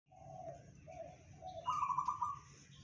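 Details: Local zebra dove, a kept songbird, in the powerful 'bedah karang' song style said to carry 500 metres: three mellow low coos followed by a higher, rapid vibrating trill, over a low background hum.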